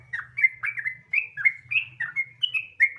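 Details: Sooty-headed bulbul pouring out rapid 'gacor ropel' song to lure other birds into singing: bright whistled notes, some sliding down and some up, run together in a lively chatter over a quiet low drone.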